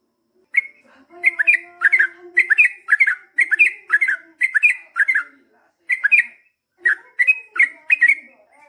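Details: Yellow-vented bulbul, called trucukan, singing energetically in long ropel style: rapid chattering pairs of warbled whistles, an even pulse of notes broken by a short pause near the end. A faint low hum sits beneath.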